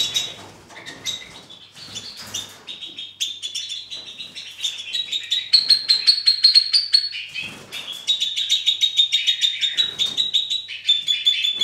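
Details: Two-barred crossbill singing despite the weather: a long run of high chattering notes and short whistles, then fast, steady pulsed trills near the top of the song, loud and close.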